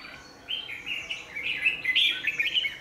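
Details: Red-whiskered bulbul acting as a lure bird at a trap on 27 January 2019: a short continuous phrase of rising and falling bright warbled notes.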